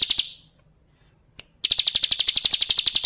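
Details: Ciblek kristal song from a bar-winged prinia, used to tutor kept birds: a few high chips fade out, near silence follows with one lone click, then a fast, steady run of bright notes resumes.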